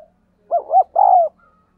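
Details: Spotted dove 'thúc gù' coo for training decoy doves and getting wild ones to call. One clear, loud phrase of two short bouncing notes followed by a longer falling coo, with nothing else around it.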